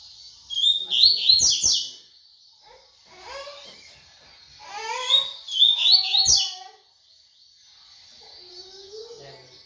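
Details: Two energetic bursts of fast tui tui song from a double-collared seedeater, high clipped whistles and buzzes, with lower rising warbled notes and some background sounds around the phrases.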